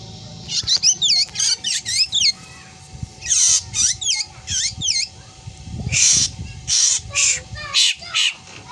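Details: Black drongo, said to like imitating a cat's meow and to give odd screams: harsh, noisy bursts mixed with quick high whistles that sweep up and down in wavy loops, in irregular runs with short pauses.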